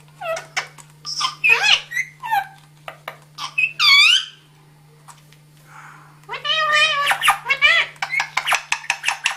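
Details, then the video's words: Talking parrots indoors: squeaky, voice-like phrases and rising whistled syllables in irregular bursts, a brief pause, then rapid chattering notes, over a steady low electrical hum. "Talking Parrots"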